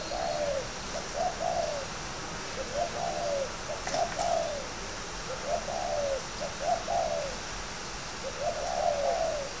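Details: Caged spotted dove raised for fighting in Ba Vì, Hanoi, Vietnam, coos persistently, about six phrases of short lead notes and drawn falling coos spaced roughly every one and a half seconds, over hiss.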